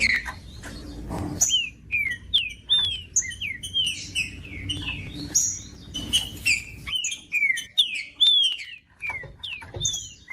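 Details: Green-winged saltator song played to heat up a cold caged saltator: lively repeated whistled phrases with curving, descending notes and scattered high chips, a low thump near the beginning.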